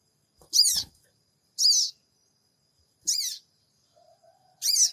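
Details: Recorded by Android in Purbalingga, the sooty-headed bulbul's 'cingik cingik' lure call: four rough, raspy chirps about one and a half seconds apart, a soft thump near the first one.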